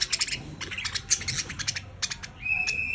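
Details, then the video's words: Pet budgerigars making happy sounds: soft rapid chirps and warbling chatter in quick bursts, ending with a steady buzzy held tone, over a low background hum. "Cute budgies making happy sounds"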